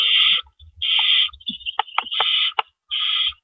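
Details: Owls at the nest before dawn on April 4 2012 while adults deliver rabbits as prey; rough, breathy hissing bursts about half a second long alternate with quick clicks and short rasps.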